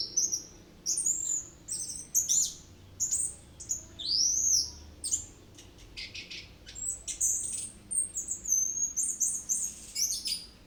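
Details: Orange-headed thrush singing a rolling song packed with varied phrases: bright high whistles, arching slurs and rapid chips in a busy, almost continuous flow.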